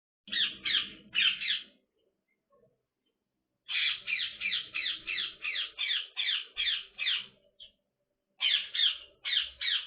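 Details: Female Indian ringneck parrot kept as a pet, playing with her favourite toy: harsh, rasping squawks in quick runs, three at first, then after a pause a long string of about a dozen, then several more.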